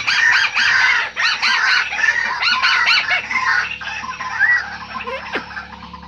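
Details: White-browed crake lure call: a loud burst of squeaky, arched chattering notes for about three seconds. It then fades into scattered softer notes with a low steady hum, and a single sharp descending note near the end.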